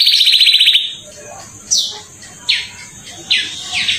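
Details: Atlantic canary of the extrajos type, used to lure other canaries into singing, with clear song: a fast rapid trill, then loud downward-sweeping notes repeated about every 0.8 seconds over a continuous high hiss and faint background noise.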